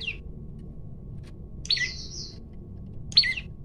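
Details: Challenging male olive-backed tailorbird in vigorous varied song, captured by phone: sharp high downslurred notes, one followed by a sustained level whistle, repeated at intervals of about a second and a half over a low hum.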